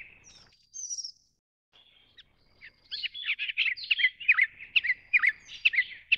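Grey-chinned Minivet giving thin, high whistled notes, then a quick run of sharp, sweet chirps, about two or three each second. Nothing else stands out.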